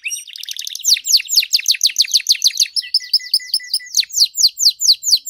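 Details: Canary song, one of three master singers: rapid series of high descending sweeps repeated about twice a second, shifting into faster trills with a low steady note underneath near the end.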